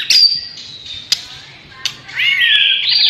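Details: White-rumped shama, Borneo-type variety: a long, thin, high whistle falling gently, a couple of sharp clicks, then a rising, buzzy whistled phrase that ends loud and steady.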